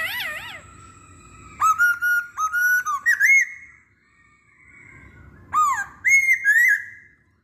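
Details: Masked laughingthrush song used as a lure to prompt others of its kind to sing: wavering whistled notes, then bursts of loud, clear whistles with slurred upward and downward inflections, separated by a quiet pause.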